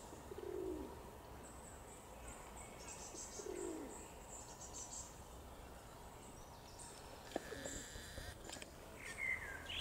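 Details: Domestic/feral pigeon (Columba livia domestica) in Tivoli Landscape Park, Ljubljana, 27 June 2022: two low, soft, rolling coos about three seconds apart, with thin high chirps from small birds and faint hum.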